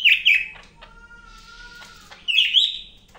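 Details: Energetic song of a Medan-type greater green leafbird, kept as master material for training birds: a bright warbled whistle opens and another closes, with a steady faint tone and a few ticks in between.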